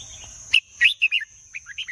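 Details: Red-whiskered bulbul kept in a cage, singing a quick phrase of bright, bubbling whistled notes followed by a few softer rising chirps, over a constant high-pitched hum.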